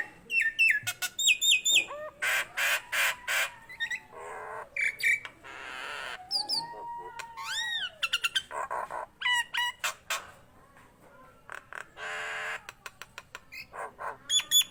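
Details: Nias hill myna singing hard: varied stream of clicks, loud knocks, falling whistles, a long drawn-out descending whistle and rising whistled sweeps, with brief pauses between phrases.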